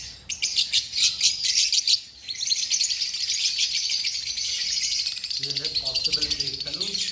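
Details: Aviary birds in Rawalpindi chirping in a thick chorus; sharp repeated high tweets at the start give way to continuous twittering, with a faint low voice near the end.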